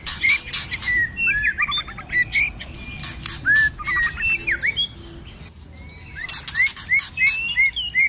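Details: White-rumped shama in full cold-season fighting song with many voices and clicks: clustered clicking bursts with rich falling and rising whistles, a brief lull near the middle, then renewed sharp clicks and short whistled notes.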